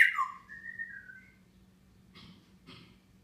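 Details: Pet grey parrot atop its cage on a June morning in 2016, giving a sliding whistle that dips and levels off, followed by two short raspy notes in a small room.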